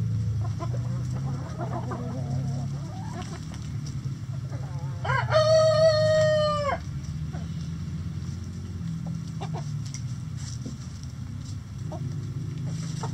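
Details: Rooster in a chicken coop crowing once, a long drawn-out, level crow lasting about two seconds, with hens clucking softly before and after over a low hum.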